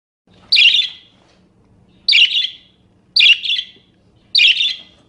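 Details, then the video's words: Pet budgerigar giving scratchy chirps for use as a training sound for songbirds: four buzzy bursts, the first pair widely spaced and the later ones closer, over a low background hum. "Suara Kicau Burung Parkit Berbagai Variasi Untuk Masteran atau Pancingan"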